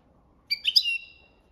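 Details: European goldfinch singing a copia malaga training song: one short burst of bright, tinkling notes with a sustained high twittering tail, clean and close with no other sounds.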